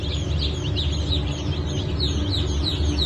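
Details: Brahma chicks from a 10 August 2024 hatch, alongside Ottoman Sultan chicks. Shrill, descending cheeps repeat quickly from several birds over a constant low-frequency hum.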